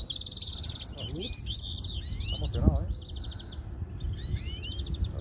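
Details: Greenfinch song from several birds: dense twittering trills and upward-sweeping notes, with a brief voice-like sound partway through over low background rumble.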